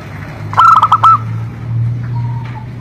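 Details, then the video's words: Zebra dove singing in a recording meant to set other doves singing: one rapid phrase of short, bouncing coo notes ending in a brief held tone, then faint, thin distant notes over a steady low hum. "Cocok untuk terapi semua jenis perkutut pasti nyamber"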